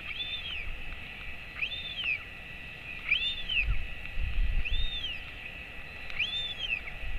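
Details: At a royal albatross nest on 28 August 2024, 11:35 am, the father feeds the chick, which is expected to fledge in September. Five evenly spaced, arching whistled calls sound over a low rumble.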